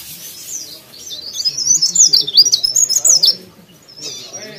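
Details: An actively singing leaf warbler gives one high, rapid phrase of thin, twisting, sweet notes lasting nearly two seconds. Quieter chirps come before it and after it, over a soft low background hum.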